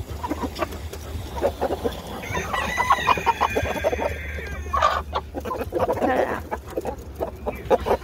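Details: Chickens running about: busy overlapping clucks and short squawks, with a drawn-out rising call in the middle, over steady low rumbling and scattered knocks.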